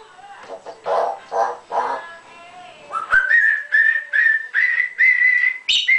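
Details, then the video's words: Trained 13-year-old female African grey parrot, a pet said to speak over 3,000 words, asked to whistle and say hello: a few mumbled speech-like syllables, then a run of clear steady whistled notes, slightly rising, about seven in three seconds. "StormyBird ,The smartest talking Bird ever"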